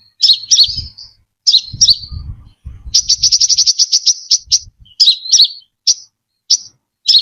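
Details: Lure track of a brown-throated sunbird singing cleanly: twittering slurred phrases, then a long fast trill of high even ticks, followed by spaced sharp chips roughly every half second.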